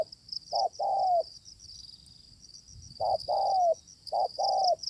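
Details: Spotted dove met while luring with a decoy, a fierce wild bird: low hollow coos in two phrases, each a short note then a longer drawn note, over steady high insect buzzing.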